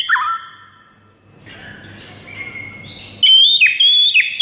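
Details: White-rumped shama in the morning, training recording for birds: a short whistle, a quieter noisy jumble, then loud high whistled phrases with sharp upward flicks.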